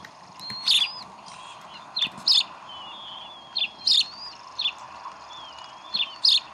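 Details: Decorah bald eagle nest, 11 April 2012, at chick feeding time. Sharp high chips, often in pairs, mix with thin gliding whistles at irregular intervals over a constant background hum.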